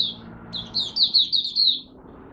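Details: Kept Malaysian Mata Puteh, the oriental white-eye, warming up in the morning with one high, twittering phrase of quick slurred notes lasting about a second, after a brief lone note, with faint background hum.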